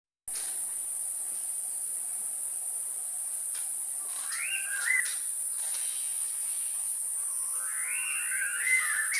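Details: White-necked laughingthrush at Mae Wong: two short bursts of rising, slurred, chattering calls about four seconds apart, over a loud, steady high-pitched insect drone.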